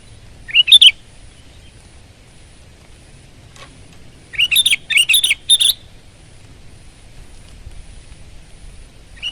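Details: Sooty-headed bulbul in full, lively song: a short bubbly phrase, then after a pause a longer run of rapid, rich warbled notes in quick succession, with a steady high whine faintly behind.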